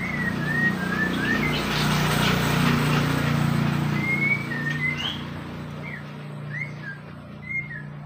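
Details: White-rumped shama from Borneo giving scattered short whistled notes, some slurred up, others down, spaced irregularly across the recording over a steady low hum and broad background hiss.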